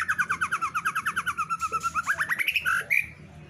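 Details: Female white-rumped shama singing energetically: a fast run of about twenty repeated chirped notes, then rising slurred notes climbing in pitch and ending in a short high burst.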